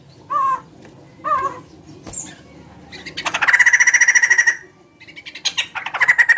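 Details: Chicken-like calls from a big-bodied bird: two short nasal downslurred notes, then a loud rapid buzzy rattle lasting about a second, a brief pause, and the rattle starting up again.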